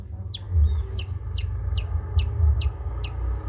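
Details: Long-tailed shrike of the trotol type, recorded as a tutor song for other birds to copy: a steady series of sharp, downslurred high notes, about two per second, over a constant low rumble.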